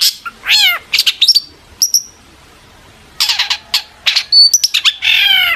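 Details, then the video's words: Long-tailed shrike (cendet) singing to prompt other shrikes to reply, mixing harsh buzzy notes, descending whistled slurs and brief high chips in irregular bursts separated by pauses of about a second. "pancingan CENDET AGAR NYAUT"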